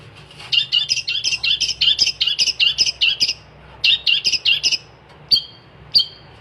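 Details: Long-tailed shrike singing gacor: a long series of rhythmic, harsh doubled notes repeated about twice per second, then a few isolated thin high whistles.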